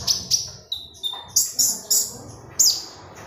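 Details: Energetic konin magpie-robin song, offered as a lure and tutor sound for training birds: crisp, very high clipped chirps and brief down-slurred whistles, about seven sharp notes in three seconds, little background.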